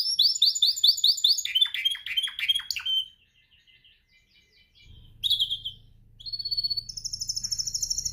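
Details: Pet canary practising its song during training: three seconds of fast, high buzzy trills and rolling falling notes, a short pause, then a sharp burst and a steady run of quick repeated chirps over a low electrical hum.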